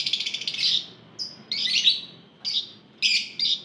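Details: Group of lovebirds (ombyokan) heard, used to prompt other lovebirds to sing: opens with a quick rattling trill, then harsh squeaky bursts at irregular intervals over a low background hum.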